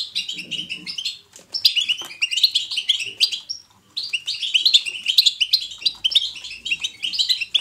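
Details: Natural, vivid twittering of a European goldfinch intended as positive stimulation for other goldfinches. Long streams of fast, high tinkling notes and nasal trills with brief gaps. Faint low rustles occur early on.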